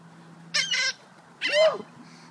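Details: , hungry gulls being fed on January 27, 2013, giving two harsh, nasal, harmonic-rich squawks about a second apart against a low steady hum.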